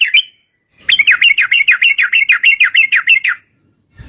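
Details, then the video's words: Yellow-vented bulbul singing a 'ropel' lure song to draw other bulbuls into singing. A single burst of about fifteen rapid, rolling chattery notes follows a short opening note. "trucukan gacor TARUNG ROPEL PANJANG pancingan trucukan agar bunyi jadikan burung trucuk gacor NYAUT"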